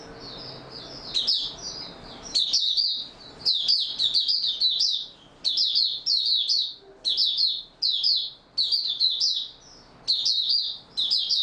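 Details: Oriental white-eye in stable song form giving long runs of high, quick twittering notes in dense bursts, nearly continuous with brief breaks, faint low sounds in the background.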